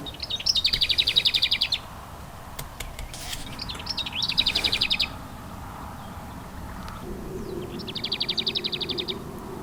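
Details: Lesser Whitethroat at RSPB Dungeness in June, on a warm day, calling while hidden in cover: three dry, high rattles of fast, even notes on one pitch, each about a second long, over a low rumble.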